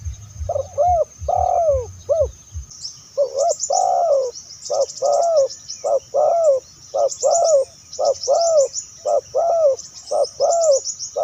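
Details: Spotted dove, a recording used to lure wild spotted doves: a long run of evenly spaced, mellow, bent coos, about one per second. High, rapid chirping from another bird runs alongside, and a low rumble fades out early.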